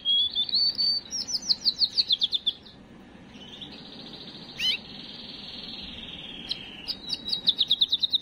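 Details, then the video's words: Canary singing to stimulate breeding females: an opening run of quick high trilled notes, a long level buzzing tone through the middle, then renewed rapid chirped trills at the end. "اقوى تغريد كناري للتسميع وتجهيز وتهييج الاناث"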